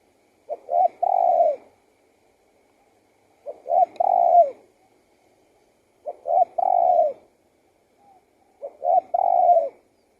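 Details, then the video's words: Spotted dove cooing steadily, four phrases about every three seconds, each a short note followed by a fuller, slightly falling coo; quiet otherwise. "BIRD SINGING"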